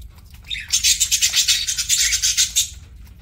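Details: Pet parakeet at mealtime giving a fast, buzzy chattering warble of rapid pulses lasting about two seconds, loud and close, over a faint low hum.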